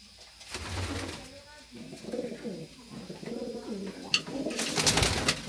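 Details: Racing pigeons (Columba livia) in a loft in Francisco Sá, Minas Gerais, Brazil, give low, rolling, overlapping coos at a steady pace, with sharp rustles and wing-flapping near the end.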